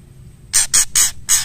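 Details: Female white-rumped shama calling to a male, giving four loud harsh, broadband rasping chack notes spaced evenly across about a second.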